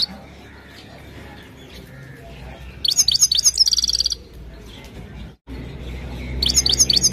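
A European goldfinch sings bright, tinkling twitters in two quick bursts over a low background hum.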